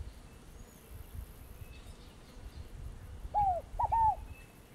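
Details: Scaled dove (Columbina squammata) giving its short phrase of soft, hollow cooing notes: a longer arched note, then two quick clipped ones and a final drawn note. Faint distant bird notes and low rumble behind.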